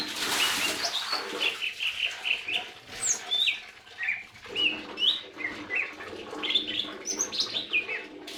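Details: Lesser green leafbird singing a varied series of bright, slurred whistles and chirps, rising and falling, with a burst of wing-flutter or rustling noise at the start and a constant low background hum.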